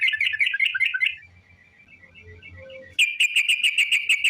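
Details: Sooty-headed bulbul delivering ropel panjang, a long rapid song meant to lure others into singing: a second of fast chirped trill, a quiet gap, then a sharp, bright series of quick repeated notes, about eight per second.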